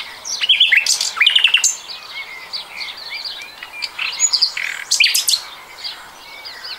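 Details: Common nightingale song from 2020, made of quick strophes: rapid repeated down-slurred notes, buzzy high bursts and scattered thin whistles, with brief pauses between phrases.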